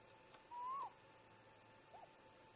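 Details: Great grey owl parents chatting at a snag nest around 04:25 in the early morning, seen on a nest cam: one smooth rising whistled note lasting a third of a second, then a much fainter short arched note over a steady background hum.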